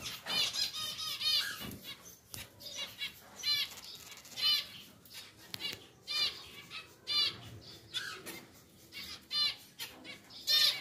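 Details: A caged pair of pied zebra finches in their new larger cage repeat loud, nasal, trumpet-like calls about every second, separated by quieter gaps and faint clatter.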